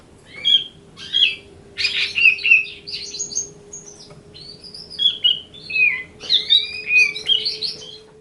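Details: Grey-cheeked bulbul singing its riwikan song, a busy stream of warbling whistles and chirps in quick phrases, a low steady hum in the background.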